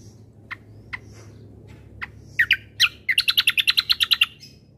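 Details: White-eye combo song for stirring up birds: a few isolated sharp chips about half a second apart, then loud slurred notes and a rapid run of about twelve bright repeated notes.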